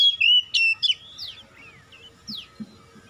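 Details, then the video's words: Oriental magpie-robin song used as a lure to prompt a reluctant bird to sing: loud, clear whistled notes with sliding, falling and rising slurs in quick phrases, then softer scattered notes over faint low hum. "terapi pancingan ampuh Kacer malas bunyi langsung gacor"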